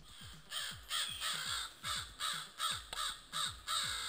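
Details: In thick morning fog at the edge of a forest, caught on a trail camera, a family of crows give harsh, rasping caws in quick succession, raising the alarm at a coyote-wolf hybrid heard in the distance.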